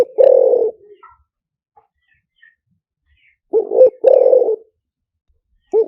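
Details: Spotted dove lure song, liu tan style: long rough coo, pause, then a full phrase of two short hoots and a drawn-out falling coo, repeated near the end.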